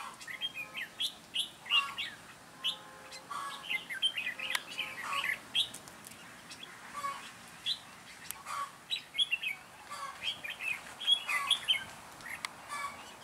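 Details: Red-whiskered bulbul decoy singing at a trap to lure wild birds, recorded 9 June 2017; lively run of short, bright whistled phrases with rising and falling notes, repeated throughout, some clicks and rustling between.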